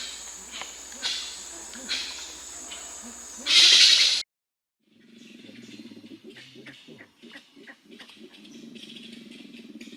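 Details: Grey-winged trumpeter in Suriname giving its normal flock contact call, which keeps the flock together and tracks each individual: low, hollow clucking notes in quick pulsed runs. Rustling and a loud crackling burst, then silence, come before.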